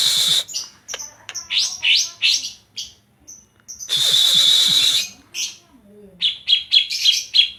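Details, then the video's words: Greater green leafbird (cucak ijo) from Banyuwangi, Indonesia, singing a song filled in with kapas tembak notes. Loud, varied phrases of high, harsh bursts and rapid chattering notes are broken by short pauses. "Cucak ijo banyuwangi isian kapas tembak"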